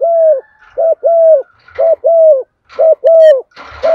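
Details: Female spotted dove calling to stir males into cooing: loud, steady low coos in short-long pairs, each note flat and hollow, repeating roughly every second, with a faint rustle near the end.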